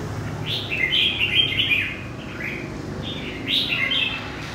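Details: Wild-caught red-whiskered bulbul from central Vietnam sings two bubbly, whistled phrases, quick and rising-falling, about three seconds apart, over a steady low background hum.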